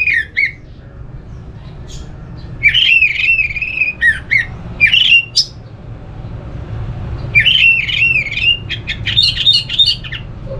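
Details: Orange-headed thrush singing as sound therapy meant to prompt any thrush to join in: rich, warbled whistled phrases with wavering and looping notes, delivered in bursts separated by short pauses, with faint low hum behind.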